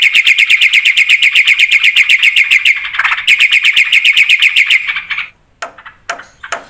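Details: Black-winged starling singing energetically. A fast, regular rattle of bright ringing notes, about four per second, holds for five seconds before breaking into a few scattered softer clicks.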